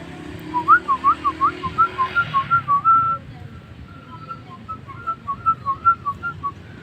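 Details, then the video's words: Jalak starling singing busily, a tutoring recording: a rapid run of short, clear whistled notes, each slightly rising, then a longer held whistle and a softer second run over low background hum. "Masteran hari ini burung jalak gacor"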